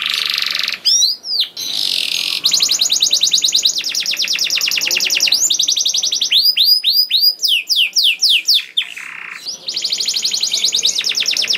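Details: Canary lure song to get other canaries singing: a harsh buzzy opening, then long fast rattling trills, a group of sharp falling whistles, a brief buzz, and a final rapid trill, nearly unbroken.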